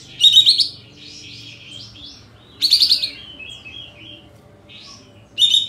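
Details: Sooty-headed bulbul in full tail-open singing form, used as a lure to stir birds into emotion and singing. Three loud bursts of high, rapid chirps at about two-and-a-half-second intervals, with softer twittering between them and a faint low hum behind.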